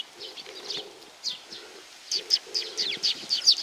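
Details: Sparrows coming for food at Tenmangu shrine in Nakanoshima, 7 June 2020; scattered short high chirps overlapping one another, with a low steady hum underneath.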